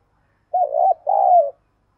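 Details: Spotted dove used as a luring decoy, calling a two-note coo: a shorter wavering first note, a brief break, then a longer smooth note sinking at its close, in a quiet setting.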